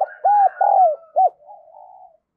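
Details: Decoy spotted dove in 'đồng son' voice, calling to entice wild doves; a phrase of rounded mellow coos, two long and one short, followed by a soft, lower, drawn-out trailing coo.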